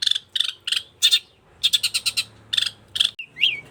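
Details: Long-tailed shrike singing vigorously with rasping, scratchy notes, some doubled, a quick rattled series in the middle, and a short descending whistled slur at the end.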